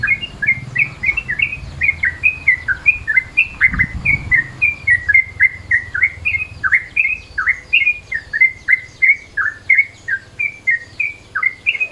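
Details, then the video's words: Yellow-vented Bulbul calling in midday mode, used as a lure: an unbroken, hurried sequence of sharp chirps, some rising and some falling, about two per second, with a faint low hum. "SUARA TRUCUKAN MODE SIANG, BISA NIH BUAT PANCINGAN"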